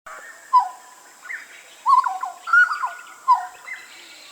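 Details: Master recording of a Papuan hooded butcherbird: loud, pure whistles and short slurred fluting phrases in irregular bursts, some notes held level, with a constant faint high-pitched hiss behind.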